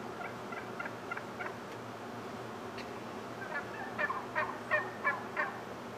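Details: A male wild turkey displays as a morning gang arrives: soft spaced notes at first, then a louder burst of sharp, rapid calls repeated roughly three times a second near the end.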